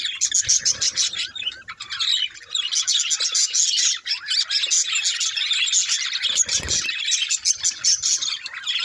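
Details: Busy budgerigar chatter of rapid overlapping twitters, squeaks and short trills, loud and continuous, briefly broken by a soft low thump near the end.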